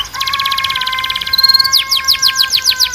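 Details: Canary song for training, with a steady pulsed trill over a held lower tone, then louder, slower, sweeping repeated notes.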